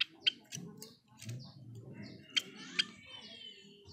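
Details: Pet Java sparrow, a bird native to Indonesia, singing indoors: sharp clicking notes and thin, high whistled phrases scattered through the clip over a steady low hum.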